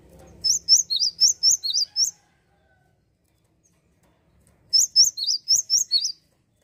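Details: Java sparrow (Padda oryzivora) song meant to provoke rival birds: two bursts of about eight high, bright chirping notes in quick succession, separated by a few seconds of silence.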